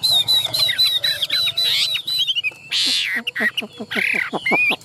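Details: Tame caged Chinese hwamei singing a loud run of high, slurred whistles repeated about twice a second, then harsher rasping and buzzy notes in a varied jumble.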